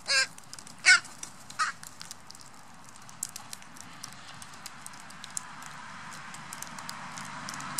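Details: Northwestern crows, a young crow feeding on sunflower seeds among adults in fall 2015: three harsh, hoarse caws about one a second, then quiet with faint clicks and soft hiss.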